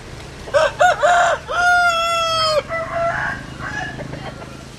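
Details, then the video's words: Cockerel crows with two quick opening notes, then a long, steady, strongly harmonic held note lasting about a second, followed by quieter crowing in the distance. "Tiếng Gà Gáy Hay Nhất 2021"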